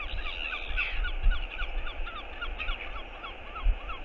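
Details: Northern royal albatross giving a courtship skycall as its mate comes back, nest camera footage from 22.02.11. Quick, evenly repeated honking notes over a dull, continuous wind rumble.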